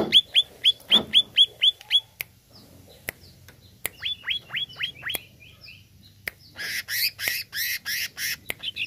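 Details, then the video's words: Greater green leafbird song, used to provoke a kept bird: a run of bright, rapid whistled notes repeated about four per second, then scattered downslurred whistles and a loud burst of harsh, buzzy chatter near the end. "HANYA PLAY CUCAK IJO INI UNTUK PANCING EMOSI IJO ANDA"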